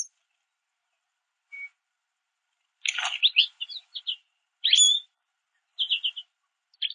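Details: A small group of American goldfinches feeding on sunflower seeds at backyard mesh feeders; scattered high chirps and short twittering bursts with silent gaps, one thin whistled note early.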